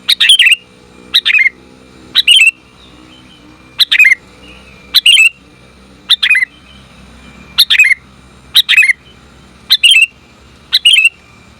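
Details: Female sooty-headed bulbul calling to the male: short, loud, bubbly chirp bursts roughly once a second over a steady faint hum and low background noise.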